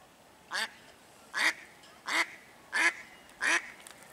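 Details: Noisy female mallard swimming around a park marina, calling as if for someone: a steady sequence of five loud, nasal quacks about seven tenths of a second apart, each short and harsh, over a low steady hiss.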